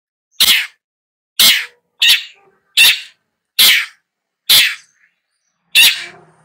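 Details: Seven harsh, hoarse rasping notes from a long-tailed shrike, spaced unevenly about one second apart, each short and noisy, in an otherwise quiet setting.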